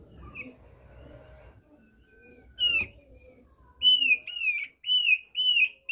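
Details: Thick-billed White-eye (opior paruh tebal) from East Nusa Tenggara (NTT), basic song: a single sharp note, then a run of clear, high, slurred whistles about two per second, after a quiet start with faint low rumble.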